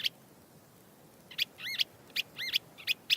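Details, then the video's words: Gray catbird in Northern California giving fine imitations of other species: after a pause, a series of sharp, swooping double notes and clicks, uneven in spacing, against a soft hiss. "In contrast, this bird was giving really fine imitations of a whole host of different species."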